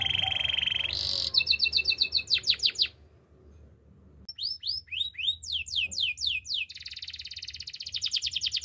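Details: Canary singing: a buzzy trill, a sharp high burst, fast clipped notes, a short pause, then tumbling downward whistled sweeps and a closing rapid chattering roll.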